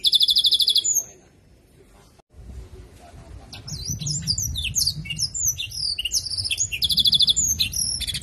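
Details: Caged-style canary song learned from a blackthroat: a loud high buzzing rattle, a brief pause, then a rapid stream of swooping whistled notes and chattering trills ending in another metallic rattle, with low background rumble.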